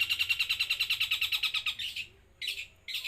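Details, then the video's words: Long-tailed shrike in loud 'los trotol' song: quick harsh pulses roughly four per second for two seconds, then a pause and two short rasping bursts. "BURUNG CENDET GACOR SUARA LOS TROTOL"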